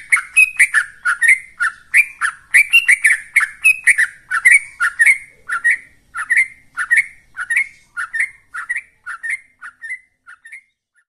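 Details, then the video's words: Rapid rolling song of a yellow-vented bulbul in ropel style, meant to fire up kept birds: dense chattering whistles at first, then slowing into evenly spaced, fading two-note phrases over eleven seconds. "Suara Trucukan Ropel"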